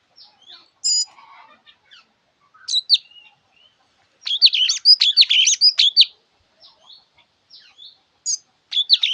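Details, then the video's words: Java sparrow singing: scattered high chirps and clicks, then a dense rapid burst of sharp twittering notes, followed by a few more isolated chirps. "Tiếng chim thanh tước hót"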